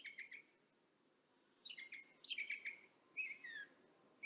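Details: Northern mockingbirds far off, recorded with a parabolic microphone: short bursts of whistled, slurred chirps separated by a silent gap, ending in a descending buzzy trill, with faint low background hum throughout.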